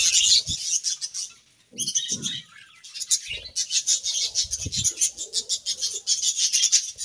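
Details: Pet budgies bathing among wet leaves on a very hot day: dense, scratchy chirping chatter runs almost continuously, broken by low splashing and rustling thumps from the bath.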